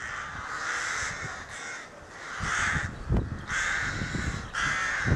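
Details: Rookery crows in May 2018 give excited nest-side calls: a series of about five coarse, rasping caws, each near a second long, with a sharp knock midway and low background noise.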